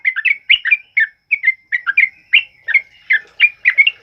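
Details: Sooty-headed bulbul singing loudly as a training model for other birds, a series of short, bright, slurred chirps in quick bursts with brief pauses between them, with nothing else audible.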